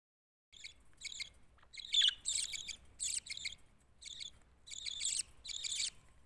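Budgerigars chatter in quick bursts of harsh, buzzy, high chirps.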